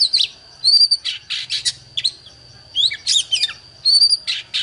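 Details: Oriental magpie-robin in a singing contest with a wild bird, giving loud clustered phrases of scratchy, buzzy notes mixed with clear rising whistles, repeated about every second, with a steady high tone in the background.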